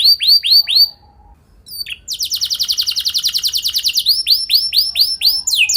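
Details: Canary lure song to get other canaries singing: a few slurred high notes, a pause, then a long buzzy, very rapid roll followed by looser descending notes.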